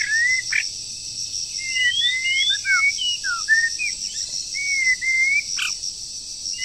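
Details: Breeding-season song of a moulting wild bird under training: many short whistled slurs, some rising, some falling, scattered through the phrase with two sharp clicks, over a steady high insect-like drone.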